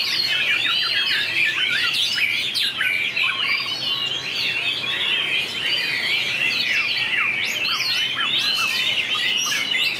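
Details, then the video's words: White-rumped shama in a singing contest, with long voice changes: a rich, rapid medley of whistles, trills and crisp chips lasting about ten seconds without pause. "Tuyển tập chòe lửa hót đấu Bộ đẹp,nết chơi đẹp,đảo giọng dài hay nhất 2019║Suara murai batu gacor"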